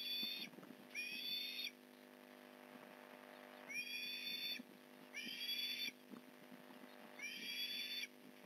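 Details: Osprey at a Port Lincoln nest during a fish delivery, 8:24am on November 15, 2019: five high, drawn-out squealing calls spaced a second or two apart, with low knocking noises in between.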